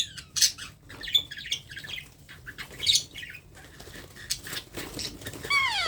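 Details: Baby parrot during hand-feeding makes short, harsh squawks, then a drawn-out, falling whine with stacked overtones at the end, with rustling and clicks between calls.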